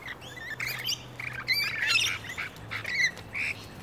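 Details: Australian rainbow lorikeets, one pair fighting another in a ground battle for territorial dominance, shriek in harsh, rapid bursts, a chaotic overlapping squabble of grating screeches and sharp chatter, with a low hum in the background.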